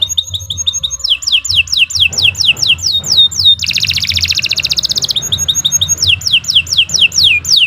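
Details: Canary singing a long master song used for training birds: quick down-sweeping high whistles in series, then a dense rolling trill, then more rapid falling notes, with a low rumbling hum in the background.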